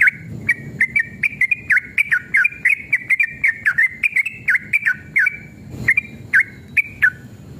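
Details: Yellow-vented bulbul (trucukan) singing a long, excited 'ropel' run, used as a lure to provoke other trucukan to answer. Quick, bubbly chirped notes repeat steadily for over seven seconds, some slurring down and others rising, over a faint low hum.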